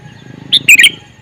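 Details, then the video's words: Male sooty-headed bulbul giving a brief calling phrase of three or four quick, bright, bubbly chirps in under half a second, over a soft low background hum. "Suara Burung Kutilang Jantan MeManggil"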